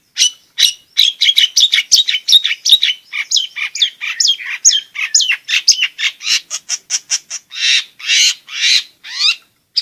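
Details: Long-tailed shrike pouring out a varied, chattering gacor song of high chirps, slurred whistles and rasping notes in quick succession, intended to provoke lazy shrikes to sing and to tutor young ones.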